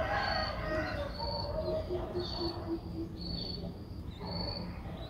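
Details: Streak-eared Bulbul nestling, six days old, recorded 8 April 2023 in Ubon Ratchathani, Thailand: high drawn-out piping notes roughly every second, with softer lower chirps and background rumble.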